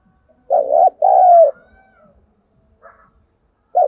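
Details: Lure spotted dove cooing to provoke wild doves. One strong low phrase: a brief quavering coo, a short pause, then a longer steady coo that trails off. The next phrase begins at the end, with faint chirps in between.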